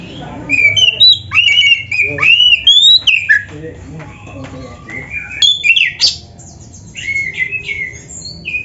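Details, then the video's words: Oriental magpie-robin (kacer) singing energetically with 'isian' fill-in phrases: sweet rising whistles mixed with chattering and squeaky notes, delivered in uneven bursts with brief pauses. "SUARA BURUNG KACER GACOR ISIAN‼️Masteran Kacer Gacor ini Cocok Buat Pancingan - AGAR CEPAT GACOR"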